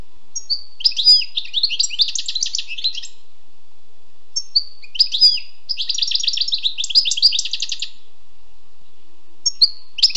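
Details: Two long phrases from a wild European goldfinch, each starting with thin whistled notes and running into dense, buzzy twittering, separated by a short pause.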